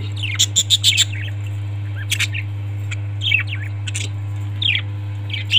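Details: Domestic budgies give a quick run of bright, repeated high chirps near the start, then sparse downslurred squeaks separated by pauses, over a low continuous hum.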